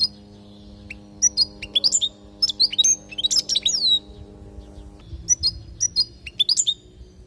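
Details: European goldfinch from Palestine singing a training song for teaching fledglings: a long, dense run of liquid twittering, chipping notes and rising and falling whistled slurs, briefly pausing before resuming, over a faint hum.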